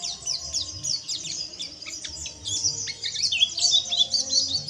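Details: Oriental white-eye chatter used to stimulate white-eyes into continuous singing: dense, rapid high twittering of thin downward-sweeping chirps and short trills, nearly continuous, over a faint low background hum.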